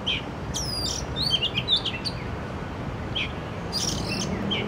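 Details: Oriental magpie-robin singing in an urban setting: a series of clear, high whistled notes and short sweeping slurs, delivered in quick bursts with brief pauses, over steady low background hum.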